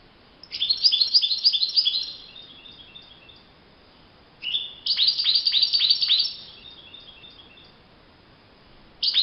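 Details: European goldfinch singing in the wild, in open nature: two bursts of rapid, tinkling, twittering notes high in pitch, each about two seconds long, separated by silence, with another burst starting at the end.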